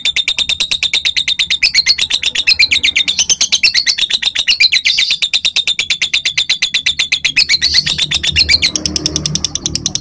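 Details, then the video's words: Lovebird giving long chattering song used to prompt other lovebirds to sing long: a rapid continuous stream of sharp high metallic notes, about three per second or faster, held for the whole ten seconds, with a low room hum beneath. "Masteran/Pancingan burung lovebir biar bisa ngekek panjang"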